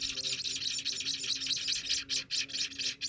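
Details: A 10-day-old Scaly-breasted Munia chick being fed begs with rapid, thin, high-pitched hissing chirps in quick pulses, about two per second, over a faint low hum.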